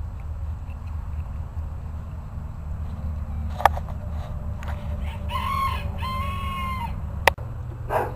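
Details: Bantam chickens crowing in a contest of loudness; a harmonic crow rises and holds in two drawn-out phrases near the middle, with sharp clicks or knocks before and after and a steady low rumble of background noise throughout.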